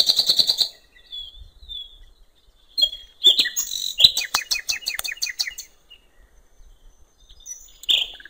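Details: Nightingale on a riverbank in the wild, mixing soft whistles with a loud, rapid sequence of repeated clipped notes that slows into a rhythmic rattle, then a short final whistle.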